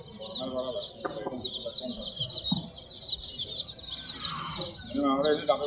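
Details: Multi-coloured chicken chicks peeping steadily: high, thin, down-slurred chirps repeated rapidly throughout, several birds overlapping, with a few softer lower clucking notes and faint background rustle.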